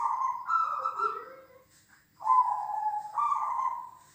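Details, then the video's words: Zebra doves of different sizes cooing together, meant to train a dove's courage; two stretched phrases with a step up in pitch midway, a quieter lower voice briefly audible alongside. "suara BESAR mengasah mental burung perkutut"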